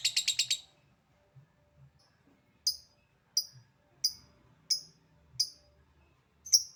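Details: Lovebird calling in the 'ngetik' style: a quick burst of six sharp high notes, then a pause and single dry ticks spaced under a second apart; faint low room rumble underneath.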